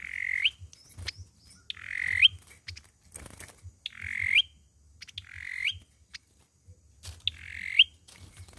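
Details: Olive-backed sunbird fighting song, used as a lure for trapping: short buzzy phrases ending in a sharp rising upslurred note, repeated roughly every one and a half seconds, with faint clicks and low rumble between.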